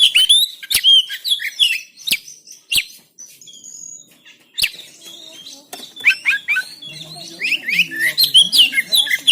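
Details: Oriental magpie-robin in Banten, recorded on an Android phone, used as training song to make birds sing: loud varied whistles and harsh notes in bursts, a quiet pause midway, then rapid chattering phrases resuming.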